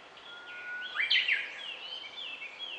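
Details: At Takahata Fudo temple, Japan, a Japanese bush warbler (Horornis diphone) holds a long, steady low whistle, then breaks into a quick, loud rising flourish, with thin, high chirps from other birds underneath.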